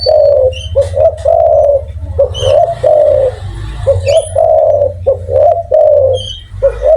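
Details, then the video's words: Loud spotted dove in full voice, repeating its cooing phrase: short clipped notes followed by a long, wavering, throaty hoot, given twice with brief gaps, over a steady low hum. "tekukur gacor suara besar"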